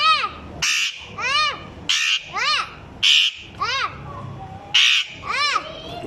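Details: Parrot imitating a child's voice with a regular run of arched, rise-and-fall harmonic calls, roughly one every second, alternating with short rasping squawks.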